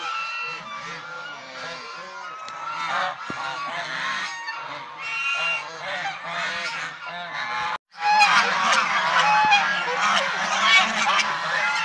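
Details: Domestic swan geese call in a steady stream of loud nasal honks. The calls briefly cut out near the eighth second, then return louder and denser.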